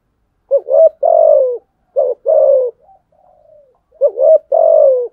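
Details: Challenging coos of a spotted dove in fighting style: three phrases of a short hiccuping rise followed by a drawn-out falling coo, with a faint soft murmur between the second and third.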